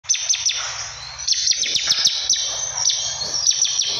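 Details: Bar-winged prinia singing actively: bursts of sharp, quickly falling high notes in rapid runs, set against a constant shrill high-pitched hum throughout.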